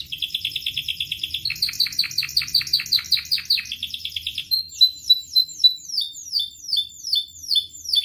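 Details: Canary song played to train and coax caged canaries into singing: a fast buzzy trill, then a series of pulsed rolling phrases, ending with bright repeated downslurred whistles about twice per second.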